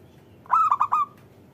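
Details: Local zebra dove, an active caller whose voice is used to lure lazy doves into calling, giving a quick run of four bubbly, ringing coos that slightly rise and then trail off, over faint background hiss.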